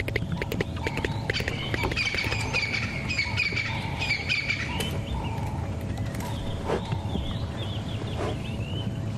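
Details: A Stierling's wren-warbler in the African bush on the morning of October 30, 2015, as the sun comes out after a night of rain, gives loud, strident notes repeated in a quick run. Other birds chirp around it over a steady low rumble.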